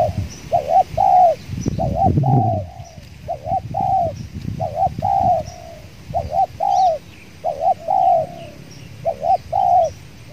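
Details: Wild spotted doves cooing at a trapping site where a decoy dove is used, one wild bird very aggressive; steady series of short mellow hooted coos, paired and grouped, repeating through the recording, with rustling and low handling noise early on.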